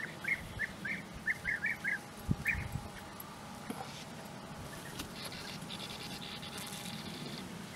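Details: Bee-eaters near nest holes in flat open terrain at Puszta Eldorado, giving a quick run of about nine purring, rolling notes in the first three seconds, then quieter with faint hiss and distant noises.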